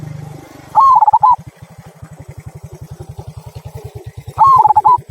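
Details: Local zebra dove giving its 'kung' style song, used to prompt other birds to sing: two short bubbling coo phrases, each rising then rolling in quick notes, about three and a half seconds apart, over a steady low pulsing engine-like rumble.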